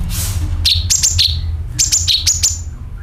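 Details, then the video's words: Sooty-headed bulbul call used as a lure to attract birds: a brief hiss, then two quick runs of bright chirps, each falling from a high note to a lower one, over low rumble. "CUCAK KINOI ||PANCINGAN PALING AMPUH TERBUKTI PASTI IKU BUNYI SUARA PANGILAN + NYERET"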